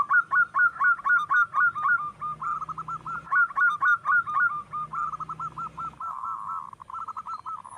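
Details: Local wild zebra dove singing, used as a lure for other birds: rapid series of short, high, rolling cooing notes repeated about four times per second, in bursts with a steady trilled run near the end.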